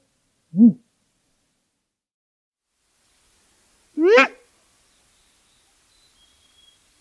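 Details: Great grey owl (Strix nebulosa) giving two separate low, rising, moaning calls about three and a half seconds apart, the second longer and stronger, in otherwise quiet surroundings.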